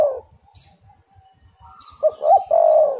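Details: Spotted dove, 'angin Topan' style lure recording for drawing other doves to call: a fading coo, a quiet stretch with soft ticks and a thin whistle, then choppy notes swelling into a loud, sustained low coo.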